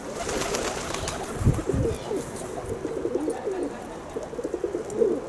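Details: Kept pigeons give a continuous chorus of rough, rolling coos, with a single dull thump early on and a louder swooping coo near the end.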